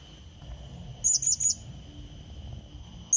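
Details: Lure call of a blue-crowned hanging parrot, meant to summon a rival: one quick run of three piercing, high-pitched chirps, then silence and a fresh chirp starting at the very end, with a constant thin electronic-like tone behind.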